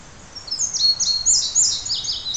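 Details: Male indigo bunting singing at Crosby Park in St Paul, Minnesota: a quick series of high, sweet paired notes, some falling and some rising, delivered in a bright two-second phrase over quiet background.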